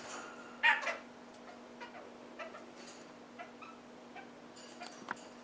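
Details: One of a pair of red-crowned parakeets feeding on half-ripe willow seeds gives one brief, harsh, chattering call, then a few soft scattered notes, over a steady low hum.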